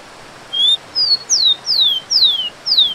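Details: Full rufous-collared sparrow song phrase: an opening flat whistle and short note followed by four bright downslurred whistles, evenly spaced and loud, with quiet hiss underneath.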